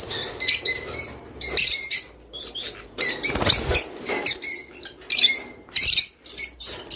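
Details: Java sparrow song meant to prompt mating: repeated bursts of high, squeaky chirps and bell-like notes with rapid clicking in between, in uneven phrases.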